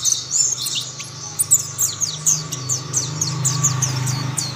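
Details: Mountain white-eye (pleci Monty) singing as other white-eyes join in: rapid, very high, thin twittering of sharp downward-slurred chirps packed several per second throughout, over a steady low hum in the background.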